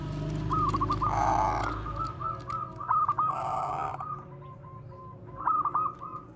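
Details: Zebra dove of the Bangkok line, bekur 'koar-koar' song used as a lure: a long run of rapid rolling trill notes with a fuller coo near the start, partly masked by low rumbling noise.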